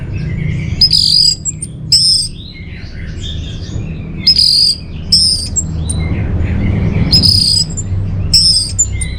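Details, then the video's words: Orange-headed thrush singing as a lure and master recording for caged birds: high, sharp whistled phrases come in short bursts every couple of seconds, with softer lower notes between them and a steady background hum. "Bikin Geger ANIS MERAH Dirumah Pasti Gacor || Pancingan sekaligus Masteran Burung Punglor"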